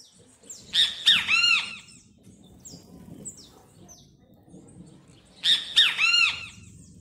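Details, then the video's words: Singing great kiskadee, known locally as bem-te-vi, gives two strident three-part phrases roughly four and a half seconds apart: two clipped screechy notes, then a drawn-out arched buzzy note, over a soft low background rumble. "Bem te vi Cantando"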